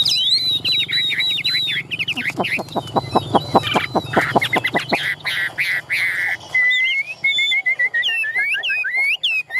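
A Chinese hwamei sings loud, rich whistled phrases, sliding and varied, with a burst of rapid clicking pulses midway. Faint human voices are heard underneath.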